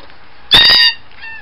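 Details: Blue jay at a feeder giving a single loud screech: one harsh, nasal, slightly descending note lasting about a third of a second, followed by a fainter, thin trailing note.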